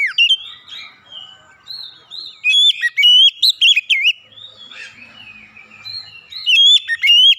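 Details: Clear lure song of an Oriental magpie-robin meant to set silent magpie-robins singing: a sweet, wavering whistled phrase, then a burst of loud, sharp rising and falling whistles, a quieter warbling stretch, and a final bright flourish.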